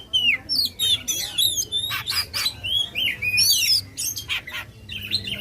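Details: Caged Oriental magpie-robin in full, loud song used to provoke contest birds: rapid varied whistles, sweeping slurred notes and harsh buzzy bursts, phrases changing every half second with brief gaps, faint low hum beneath.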